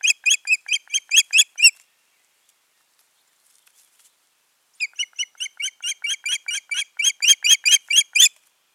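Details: Pair of ospreys at the nest, 14 June 2019, producing long rhythmic strings of loud, shrill, whistled chirps at roughly two per second, about eight in the first run, then a longer series after a pause.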